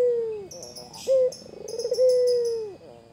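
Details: A white Barbary dove vocalising to tease a rival: the tail of a long falling coo, a short firm note, then accelerating pulsed coos that merge into a sustained drawn hoot. Faint high twitters sound behind it.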